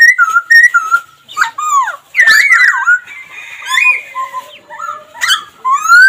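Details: Loud whistled notes from a laughingthrush, short level whistles then looping, downslurred phrases and a long quieter rising whistle, broken by crisp clicks.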